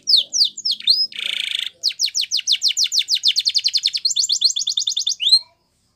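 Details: Training song of a Spanish Timbrado canary: a few swooping notes, a short harsh buzz, then a rapid run of falling sweeps speeding into a high metallic trill, ending in silence.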